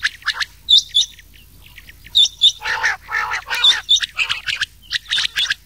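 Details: Male rain quail voice blended with old quail calls for night hunting in the summer season; paired metallic high notes alternate with coarse, lower rasping bursts in an uneven, fast sequence.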